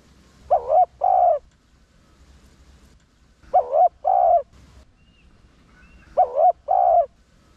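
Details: A spotted dove with a deep "rặc đồng" voice type, used to lure wild doves. It gives soft, low cooing phrases, each a wavering double note followed by a longer coo, repeated about every three seconds.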